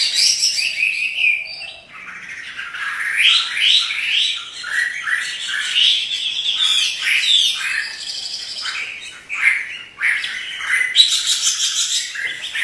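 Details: Chinese hwamei, a kept songbird described as singing energetically while dancing; rich, varied song of loud whistled and slurred phrases, rising and falling notes repeated in bursts, with brief quieter pauses.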